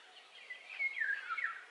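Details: Fluting song of a Eurasian golden oriole, a yodelling whistled phrase with several linked notes falling and rising, faint hiss behind.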